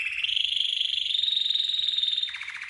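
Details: Red canary training song: a sustained rapid trill, steady and high, then shifting at the end into a lower, coarser rolling tour.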